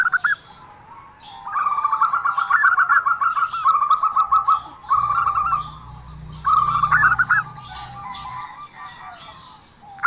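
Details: Zebra dove uttering an odd, unique call: bursts of fast, evenly stuttered mid-pitched notes separated by quiet gaps, some phrases ending in slightly higher notes, with a low rumble in the middle.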